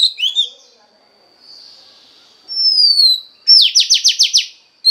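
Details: Female Oriental magpie-robin singing to stimulate the male: a few chirps, a soft pause, a long falling whistle, then a rapid burst of six downward-sweeping notes.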